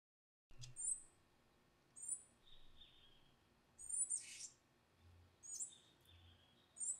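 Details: Palm tanager (Thraupis palmarum) feeding its young in Amazon rainforest, Amapá, Brazil; thin, very high chirps come in short bursts about every two seconds, with lower buzzy notes between them over soft background hiss.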